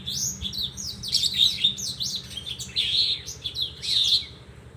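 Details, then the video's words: Horsfield's bush lark giving bursts of high, slurred chirps and buzzy twitters in short clustered phrases, with a low background hum. "Kicau Branjangan"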